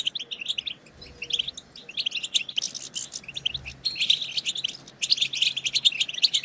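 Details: Fast, liquid twittering of a European goldfinch, a continuous stream of high tinkling and buzzy notes with brief pauses, against a faint background hum, used to stimulate goldfinches to sing.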